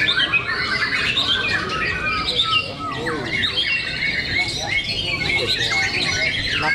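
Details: Competing white-rumped shamas at a Cibinong song contest: a busy tangle of rapid whistles, trills and squeaky notes from several birds at once, with a brief lull near the middle and voices under the birds.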